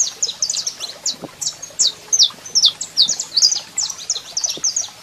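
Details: Male saffron finch in full song alongside a calling female: a dense, rapid stream of bright, high, downslurred chirps tumbling over one another for five seconds, with a quiet noisy background.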